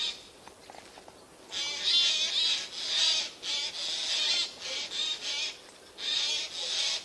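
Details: Eurasian jays calling unseen from spruce branches on 13 September 2024: a quiet start, then a run of hoarse, noisy screeches, some long and some clipped, spaced with short gaps.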